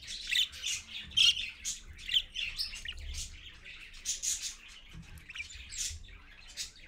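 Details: Early-morning parakeets, a parent with babies, at 6:20 AM: busy chattering chirps and squawks, with denser, louder calling in the first two seconds and steadier, softer twittering afterward.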